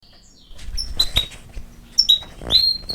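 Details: European goldfinch giving a few scattered, high, thin chirps and short upward-sliding notes separated by pauses, with a faint low hum underneath.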